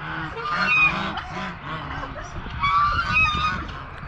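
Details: Domestic geese give loud, nasal, trumpeting honks, several birds overlapping in a ragged chorus roughly every two seconds, with a faint outdoor background; on a farm on a dry, cool Saturday after a week of rain, geese resting under trees.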